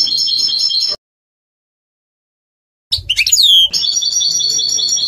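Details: European goldfinch song from a 2020 song CD: fast liquid twittering, a sudden break, then a tinny sweep and a high descending whistle before the twitter resumes.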